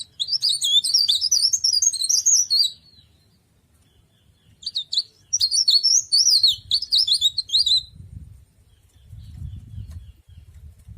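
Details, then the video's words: Cikrak daun (tralis) leaf warbler, kept as an ornamental bird, delivers two bursts of quick, high squeaky twittering notes, each around three seconds long, with soft low rumbling in the background afterwards. "Burung cikrak daun atau burung tralis"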